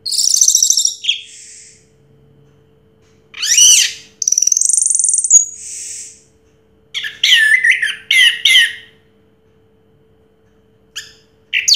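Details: Song of a 2022 first-place champion orange-headed thrush: scattered bursts of high, rising whistles and scratchy chattering, separated by silent gaps of a second or more.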